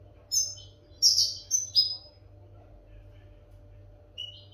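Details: Training song of a European goldfinch for captive birds: a quick burst of four bright, high twittering notes in the first two seconds, then near quiet with one faint note at the end, over a low hum.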